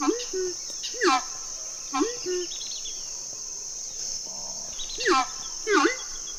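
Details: Horned screamer in the wetlands and savannas of the Orinoquía gives loud, low, arching honks in pairs, roughly every second or so, over a steady high insect whine.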